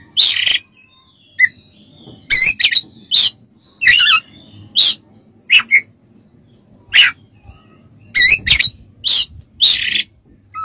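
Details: Oriental magpie-robin delivering repeated harsh, crackling high notes mixed with warbled twists and occasional soft whistles, spaced roughly every second, used to train other birds.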